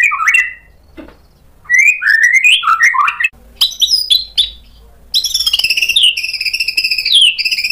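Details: White-rumped shama, stirred up by a provoking lure, reveals its imitation repertoire. Low rising whistled slurs and sharp ticks lead into a fast, continuous, high buzzy trill.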